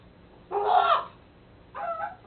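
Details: Hybrid White-necked and Common Raven, a male born and raised in captivity, babbling: two harsh, throaty bursts, the first longer and louder, the second shorter after a pause.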